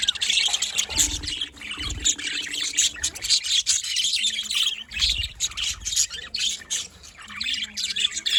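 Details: Budgerigars at morning time give a steady wash of rough, buzzy chirps and chatter from many birds, with a few low rumbling knocks early on.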